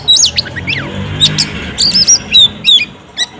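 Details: Oriental magpie-robin female singing to draw a male's answer: brief high whistled slides and quick chirps, with a low hum underneath.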